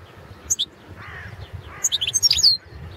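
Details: European goldfinch of the Balkan subspecies carduelis balcanica, a competition recording from a Serbian goldfinch song championship; two short bursts of high, twittering chirps with quick liquid notes and a faint low hum beneath.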